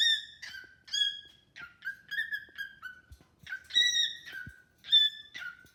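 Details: Cockatiel kept as a pet, chatting and singing to a new bird: a lively string of whistles with rich overtones, some short falling chirps in the middle, then louder ringing whistles.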